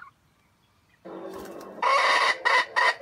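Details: Bait junglefowl in a wild chicken trap begins with a low rough note, then breaks into three loud harsh bursts of its stuttering, grinding crow.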